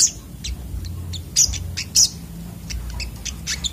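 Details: Agitated 'ngamuk' song of a brown-throated sunbird: scattered high, piercing chirps and squeaks with several loud sharp clicks, against a low droning hum.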